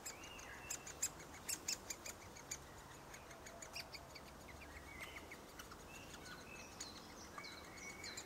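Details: A young great spotted woodpecker gives sharp, high 'kik' ticks, bunched in a quick run then scattered irregularly, with faint thin whistles of other birds behind.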